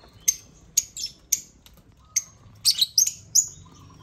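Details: Lovebirds taking over a millet crane utter sharp, very high chirps, first spaced out, then a quicker cluster of warbled squeaks near the end.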